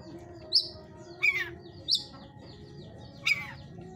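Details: Oriental magpie-robin kept in a breeder's cage, 'hot type' bird: four separate sharp notes, some high and thin, others harsh downslurred rasps, spaced about a second apart over steady low background noise.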